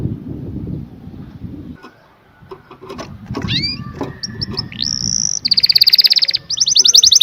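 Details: Canary singing after a stretch of low rumbling background noise: a few scattered chirps, a rising whistle, then fast buzzy trills of repeated notes.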